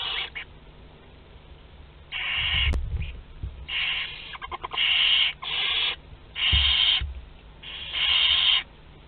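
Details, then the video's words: Rasping, breathy hisses from Barn owl chicks aged two to twelve days at a group meal, Théding, France, 29 April 2021, in bursts of uneven length with quick stuttered clicks and low thumps among them. "Repas de groupe (2-12 jours) - 29/04/2021 - Les Chouettes Effraies de Théding"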